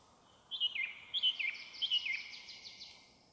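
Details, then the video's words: Song thrush in a forest by Zarechny, recorded on an audio recorder between seven and eight in the evening of 1 May 2023: a clear fluty phrase repeated about three times in quick succession, running into a brief trill, over a soft background hiss. "под пение дрозда и др. в лесу"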